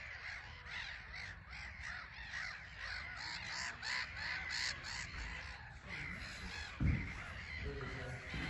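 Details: Black-headed gull colony on a small island at Frampton Marsh, with birds flying in and out; a dense stream of harsh, croaking cries, a brief thump near the end, wind rumbling underneath.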